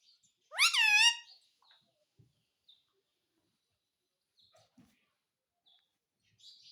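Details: Pet Indian ringneck parakeet, reported to say "mummy papa": one loud, rich, rising harmonic utterance near the start, then quiet with scattered faint clicks and a brief high squeak at the end.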